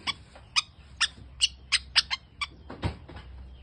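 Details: Long-tailed shrike of a very rare creamino mutation, singing actively: a run of about eight harsh, broadband rasping notes spaced roughly half a second apart, ending with a lower, muffled note.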